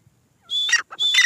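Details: Female grey francolin (teetar) giving two harsh, high, strained notes, each a steady tone breaking into a rougher falling ending.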